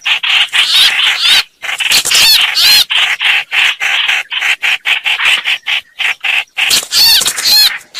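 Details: Streak-eared bulbul sounds used as a trapping lure: short bursts of squeaky, scratchy chatter with curling whistled notes, separated by many brief silent gaps.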